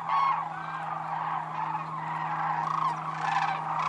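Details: Sandhill cranes at Whitewater Draw Wildlife Area, Arizona, after a bitterly cold night that left thin ice on the pond; a softer ongoing chorus of rolling bugles, one loud clear call at the start.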